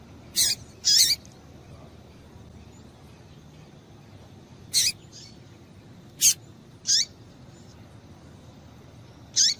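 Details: Female double-collared seedeater giving sparse calls to excite males: six brief, high chirps spread across nearly ten seconds, some with a falling tail, separated by long quiet pauses.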